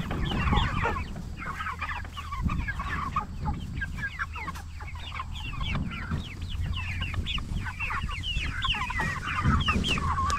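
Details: Cornish Cross broiler chickens at 44 days old, raised for meat, in a steady stream of quick chirping peeps and soft clucks from several birds, over a constant low mechanical hum.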